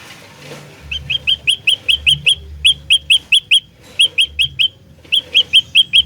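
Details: Olive-backed tailorbird song used as a lure for trapping, fighter style: loud, sharp, upswept notes repeated about two and a half times a second in quick bursts with brief pauses, over a low steady hum.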